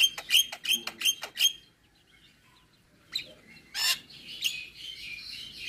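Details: Javan myna, full isian song: a quick series of five sharp high chirps, a silent gap, then harsh buzzy bursts and a scratchy, high-pitched warble.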